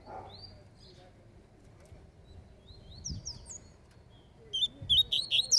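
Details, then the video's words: Rusty-collared seedeater singing in a dispute: scattered thin high whistles and short slurred notes over low background noise, ending with a loud string of quick sharp chirps. "COLEIRO FALCONE DISPUTANDO"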